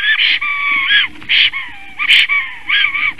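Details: Spring homecoming of a Latvian Black Stork, 9:36 AM on 13 April 2019, singing at the nest: hoarse, breathy, whistled wheezes alternating with lower sliding moans in an irregular series.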